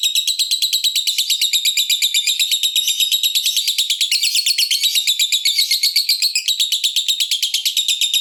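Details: Long ngekek chatter of a fighter lovebird, used to goad rival lovebirds into singing: a continuous, fast, shrill rattle of evenly repeated high notes lasting the whole stretch, with no other sounds.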